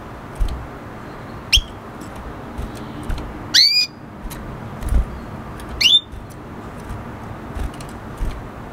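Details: Hybrid red hooded siskin (F1 canary mix) singing: short rising whistled notes and a louder buzzy upslurred phrase, spaced irregularly, with scattered soft clicks and steady low hum.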